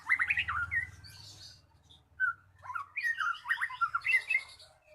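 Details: Magpie-robin lure song played to make a quiet bird start singing: bursts of varied chattering and whistled phrases, a short pause, then a richer jumbled run of notes, over a low hum in the background.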